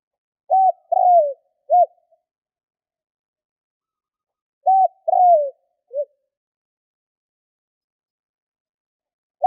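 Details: Spotted dove cooing: two phrases about four seconds apart, each a short soft hoot, then a longer falling coo and a final short note, low and mellow, in otherwise quiet surroundings.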